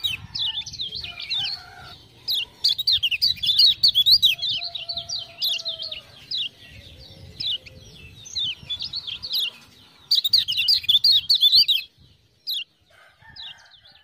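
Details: Kecial kuning, the Lemon-bellied white-eye of Lombok, kept as a tutor bird and singing after ciak-ciak prompting; long runs of fast high jumbled chirping with short pauses and a few lower drawn-out whistles between runs.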